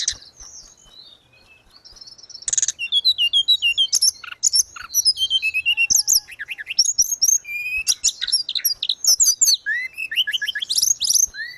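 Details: Strong, gacor song of a grey-cheeked bulbul (tledekan gunung) used to train and revive caged birds: faint opening notes and a buzzy burst, then long runs of rapid high chirps and twisting whistles.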